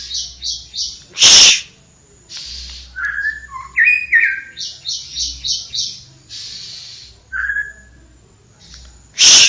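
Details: Flowerpecker singing vigorously: rapid series of high, thin chirps in quick repeated bursts, mixed with slurred whistled notes, plus two loud harsh bursts at the start and end.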